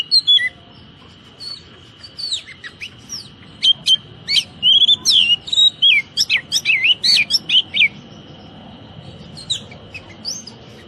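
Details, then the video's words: Kacer, or Oriental magpie-robin, in a training song for caged birds, 'tembakan rapat' style: a long, dense run of quick, varied whistles and sharp clipped notes, about two each second, tapering near the end, over a continuous high tone. "Masteran Kacer Tembakan Rapat"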